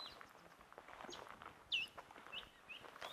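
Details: White-browed scrub robins singing at sunset in the bush of Rietspruit Game Reserve, Lowveld, South Africa, 20 May 2024: one clear, high, downslurred whistle, then two softer short notes, over faint hiss and distant chirps.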